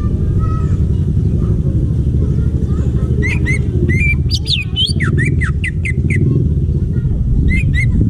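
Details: Greater green leafbird in the wild forest sings a dense sequence of swooping, looping whistles and short sharp notes over about three seconds, then a brief final pair, amid a strong low background rumble.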